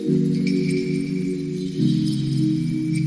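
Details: Sustained low ringing tones like a singing bowl or ambient music, with no animal sound present.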